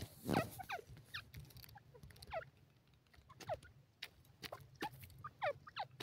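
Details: Grey francolin, known locally as teetar, giving repeated ringing, downward-curving call notes in irregular sequence, fairly faint, with low background hum.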